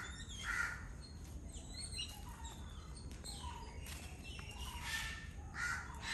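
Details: A flock of Yellow-billed Babblers eating coconut from the shell, chattering with harsh, scratchy notes and squeaky chirps overlapping throughout, over a low background rumble.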